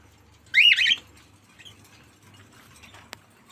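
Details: Cockatiel kept as a pet utters a single loud, raspy squawk lasting under half a second, then quiet room sound with a faint click.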